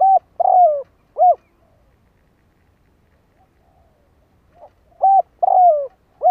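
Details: Spotted dove acting as a decoy to provoke wild doves gives a three-note coo, pauses about three seconds, then starts the phrase again; low, smooth notes with a drawn-out falling middle.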